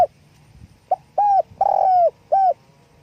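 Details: Spotted dove calling with wing flapping, delivering one phrase: a soft pickup note, a short hoot, a longer wavering coo that slides slightly down, then a crisp closing coo, against a quiet background.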